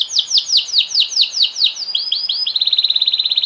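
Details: Canary singing a long song said to set other canaries singing: evenly spaced falling whistled notes about five per second, shifting into a very rapid, tight high trill.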